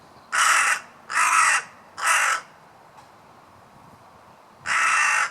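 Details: Crow cawing: three harsh, hoarse caws about a second apart, a pause of over two seconds, then a fourth caw, with faint background noise.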